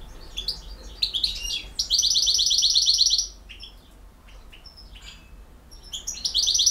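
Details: European goldfinch of the Bosnian type singing in the field-song style: bright twittering notes leading into a long, fast, high buzzy trill of over a second, then sparse chirps, and the trill starting again at the end.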